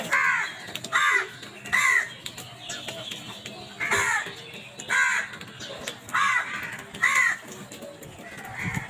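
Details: Crows attacking food, calling in loud hoarse caws repeated about once a second, each one arched and raspy, with fainter caws between them.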